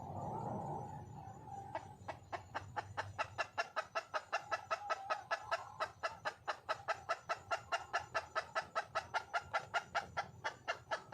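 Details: Red junglefowl hen, wild, seeking a male: a soft murmur opens, then a long unbroken series of crisp, rapid clucks, roughly two or three per second, continuing steadily to the end.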